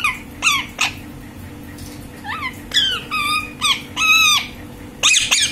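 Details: Green parrot talking: a string of short squeaky, harmonic notes and sweeping whistled phrases that rise and fall, about eight bursts with brief pauses between them, over a quiet hum.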